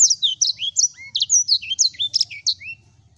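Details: Yellow-fronted canary (sanger) singing a fast, bright, high-pitched warble of short sweeping and trilled notes, some dropping in pitch, with a faint low hum underneath.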